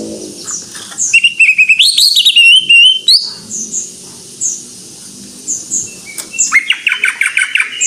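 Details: Greater green leafbird in vigorous song: a long flowing phrase of warbled whistles mixing level and rising notes. Scattered soft high chirps follow, then a fast series of repeated short notes at the end.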